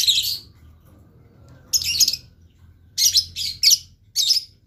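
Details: Blue lovebird calling in short, shrill, raspy bursts separated by brief silences, the later ones quicker and clustered, with a low hum in the background.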